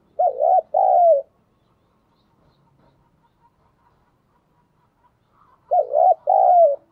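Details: Spotted dove used to provoke cooing, thổ-style voice: two double-note coos about five seconds apart, with near silence between them.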